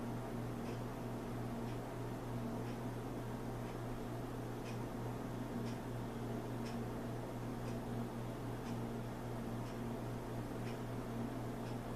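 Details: A steady indoor mechanical hum like a fan or appliance, with faint regular ticking and no animal sound.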